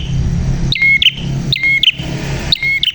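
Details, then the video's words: Prinia song of sharp, bright paired notes ending in a clipped high whistle, repeated about every second, over a steady low engine-like hum. "Burung Prenjak Gacor Suara JERNIH"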